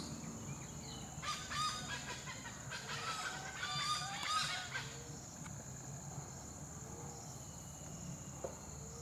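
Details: Black hornbill flying back and forth at low level. A run of harsh, raspy, cackling bursts about a second long comes in a loose series, then fades to quiet. A steady high insect drone continues beneath.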